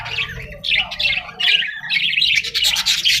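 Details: Parrot gives quick, harsh squawks and chatter in rapid succession, with brief dips in between.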